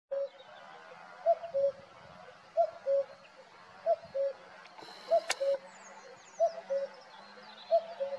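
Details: Male common cuckoo singing at Valdeolea: clear two-note cu-coo, higher then lower, repeated about every 1.3 seconds, with faint background birds and a brief click.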